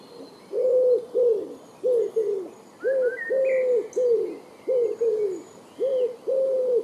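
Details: Columba palumbus, the Common wood pigeon, calling in the wild: steady, deep rhythmic cooing, about ten low hooting notes grouped in pairs and threes, while other small birds chirp faintly in the distance.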